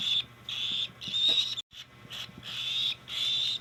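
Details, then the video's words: Cockatiel during hand feeding with about five rough, buzzing begging calls and one brief silent break in the middle. "Cockatiell Hand feeding 2025"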